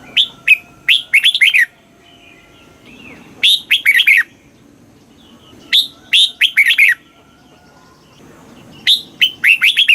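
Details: Red-whiskered bulbul singing in the southern master-song style from Thailand, meant to rouse caged birds and teach chicks: four short lively phrases about every three seconds, each a sharp opening note followed by bubbling, downward-slurred whistles.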